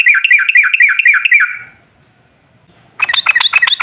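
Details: Yellow-vented bulbul lure song for triggering other bulbuls: a rapid run of rolling, bubbly notes for about one and a half seconds, silence, then a harsher, more jumbled burst of notes.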